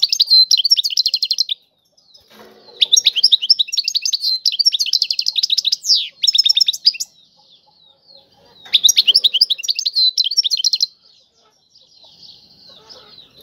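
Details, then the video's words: European goldfinch, Algerian style, singing long bursts of fast liquid twittering and buzzy trills, with downward slurs, broken by two quiet gaps and a faint soft rustle. "اعظم تغريد الحسون طيواواطي"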